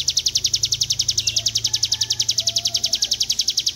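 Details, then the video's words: Hill Prinia (ciblek gunung) singing a long 'ngebren' trill used as a training recording: a continuous run of high, buzzy, evenly spaced notes, about nine per second, steady throughout with faint low background hum. "Ciblek gunung ngebren panjang"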